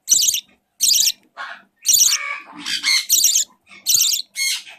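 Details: A 4-week-old budgerigar being hand-fed gives harsh, high raspy squawks in short bursts, roughly one a second, with scratchy chattering notes between them.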